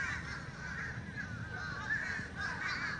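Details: Fish crows making a ruckus: a steady run of harsh, nasal cawing calls overlapping one another with almost no pause, over a low rumbling background.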